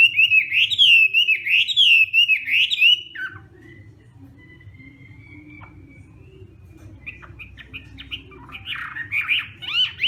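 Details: Hwamei singing a morning training song, loud rich whistled phrases with rapid warbled notes for three seconds, then a long near-silent pause with a faint thin whistle before bright varied phrases resume.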